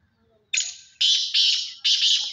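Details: Black francolin, kala teetar, delivering its call as four loud rasping, buzzy grating bursts, the first longer and fading, the rest clipped and closely spaced, over a quiet background.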